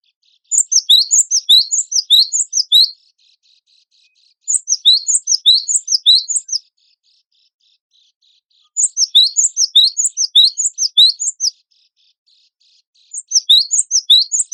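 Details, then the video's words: An actively singing cinereous tit on a master track for competition songbirds. Repeated bursts of shrill, high, twittering chirps each last about two seconds, separated by short quiet gaps with faint soft notes. "MASTERAN GELATIK BATU WINGKO GACOR FULL MATERI ISIAN KOMPILASI SUARA BURUNG LOMBA"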